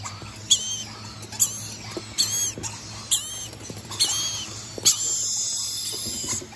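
Red-collared Lorikeet giving shrill, grating screeches, about one a second and uneven in spacing, over a steady high hiss of insects.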